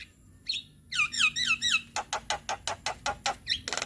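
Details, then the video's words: Young Javan myna calls used to encourage young birds to sing: a buzzy note, three looping, slurred whistles, then a steady train of harsh, evenly spaced chack notes. "Suara Pancingan Burung Jalak Kebo Muda Biar Cepat GAcor"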